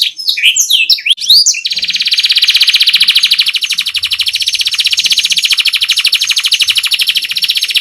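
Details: Canary singing a rolling song used for tutoring other cage songbirds; a short burst of sweeping chirps gives way to a long, loud, even roll of very fast repeated notes lasting about six seconds.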